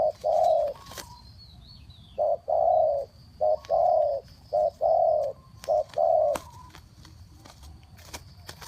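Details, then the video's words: Decoy spotted dove cooing in the 'three kuk hoi' style to lure wild birds: a deep, soft coo, a pause, then clustered short and longer hollow notes, with a few faint clicks behind. "เสียงนกเขาใหญ่ 3กุกห้อย เรียกลงกุก2กุก"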